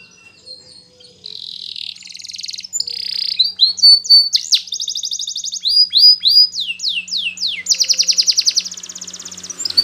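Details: Yellow Spanish Timbrado canary singing a training song: high buzzy rolls and sustained tones, then fast downslurred whistles and a metallic rattling trill, growing louder through the phrase.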